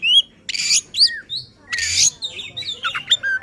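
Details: Agitated oriental magpie-robin song used to provoke others of its kind: high whistled slurs alternating with two loud harsh rasping bursts, then quick chirps and twittering.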